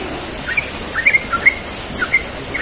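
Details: Yellow-vented bulbul, morning ropel song in a relaxed manner: a series of short, sweet chirped notes, each separated by brief pauses, with a soft constant hiss behind.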